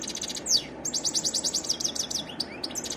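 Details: European goldfinch in varied song, a rapid run of repeated bright buzzy notes and a sharp downward slurred chirp, with steady low background noise.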